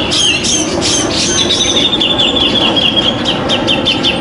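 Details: A grey-cheeked bulbul competing at a songbird contest, 27 September 2020, noted for a penetrating voice with tight, high notes, gives a steady high rippling trill lasting several seconds amid clicks and crowd hubbub.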